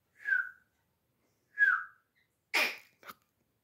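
A Grey francolin gives two clear, downward-slurred whistled notes about a second apart, followed by a harsh, breathy burst and a short click.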